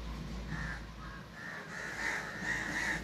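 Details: Crow calling with a quick run of raspy caws that grow louder and come faster toward the end.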